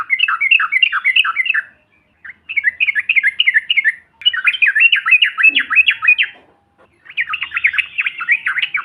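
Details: Yellow-vented bulbul, known locally as trucukan, in an ombyokan recording used to provoke other birds: fast bursts of bubbly, chattering notes that rise and fall, in four phrases of about one and a half seconds separated by short pauses.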